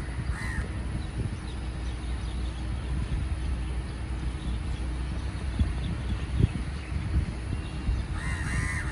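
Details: Indian house crow (Corvus splendens) on an MRT viaduct noise barrier, possibly chatting with others: two harsh, nasal caws, one at the start and one near the end, over a steady low rumble of passing traffic.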